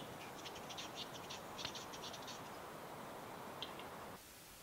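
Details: Western capercaillie at its spring lek in East Lapland, Finland, 2022: a burst of hurried dry clicking lasting about two seconds, then isolated ticks over steady low rumble.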